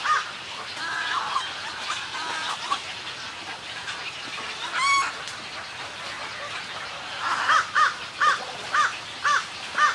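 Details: Snowy egret (Egretta thula) greeting calls at a colony: hoarse, nasal croaks over a rushing colony din, ending in a quick run of about six clipped, throaty notes, roughly two per second.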